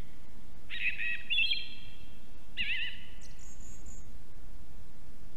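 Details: Near an osprey nest in Estonia, a live nest camera catches a song thrush delivering two ringing, slightly buzzy phrases that echo out, separated by about two seconds, then a faint high thin note, over steady low background noise.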